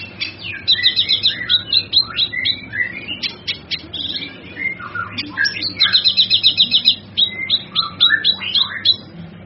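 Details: Varied song of a male kinoy used for training other birds: quick high trills, clipped whistled notes and dipping mid-pitched slurs run together almost without pause; faint low hum behind.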